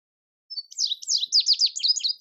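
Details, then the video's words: Indigo bunting singing a sprightly series of high, clear, downslurred notes, repeated in close pairs, rising in loudness over about one and a half seconds. "Indigo Bunting Song"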